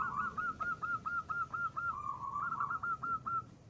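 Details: Zebra dove of local stock singing 'ngristal' song as a lure bird: a long even string of soft rolled coos, about two per second, briefly pausing midway before resuming.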